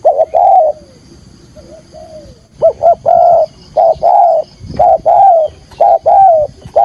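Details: Spotted dove calling to lure wild doves into a trap, 'thúc gù' style: deep mellow coos in quick phrases, a short note then a longer hooting one, repeated about once a second after a brief pause.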